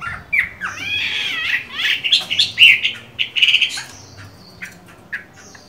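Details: Chinese hwamei with mung-bean green eyes during moult: a dense, varied burst of whistles, trills and harsh notes, tailing off into a few faint chirps.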